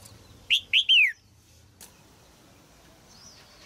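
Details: Caged female red-whiskered bulbul singing to stir an adult male: three quick whistled notes, the final one drawn out and sliding downward, then a long pause before one more bright note begins.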